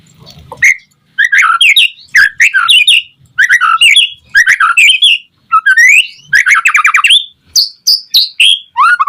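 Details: Song of a white-rumped shama, played to prompt other shamas to sing: a continuous run of varied, rich whistled phrases and rapid chattering trills, each lasting about half a second, with rising sweeps and short gaps between bursts.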